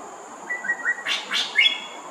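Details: A greater racket-tailed drongo sings from a perch at Thomson Nature Park in Singapore, where it is a common resident. A few level whistles lead into two loud, grating metallic bursts, then a clear high whistle.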